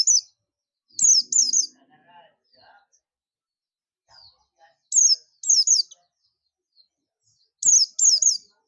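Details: Ngalas call of a buxtoni Oriental white-eye summoning other birds: clusters of two or three shrill, falling chirps roughly every three to four seconds, with faint soft warbled notes between.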